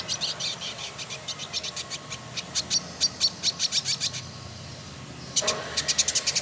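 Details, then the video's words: Caged male Village indigobird, called trotol, a tutor bird from Bandung, Indonesia: long series of high clipped notes repeated steadily, pausing briefly, then resuming with a quicker run. "Burung Masteran Village Indigo Trotol Gacor"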